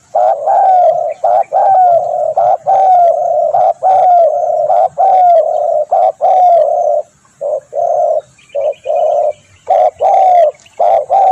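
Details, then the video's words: Spotted dove calling for pikat lure use, a loud fast run of mellow coos, long slurred notes giving way to shorter clipped ones about once a second, with a faint high twitter from another bird midway. "SUARA tekukur"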